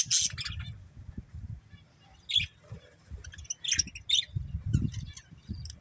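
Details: Budgerigars from a breeding pair giving short sharp chirps and brief chatter bursts, separated by pauses, over low thudding background noise.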